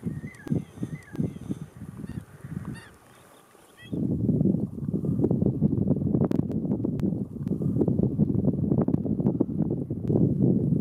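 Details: Andean flamingos in a flock in the Atacama Desert, giving low, nasal, goose-like honks that merge into a dense, continuous gabble, with a few thin higher chirps at the start.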